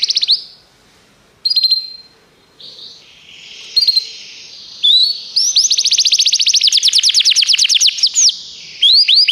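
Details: Canary song used to train canaries: separate bursts of high chirps and a long buzzy note, broken by silences, then a long fast trill of down-slurred notes, and more chirps at the end.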